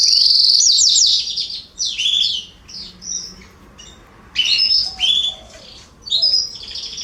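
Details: In a garden in September 2020, canaries give bursts of varied high chirps and short trilled phrases separated by brief quiet gaps.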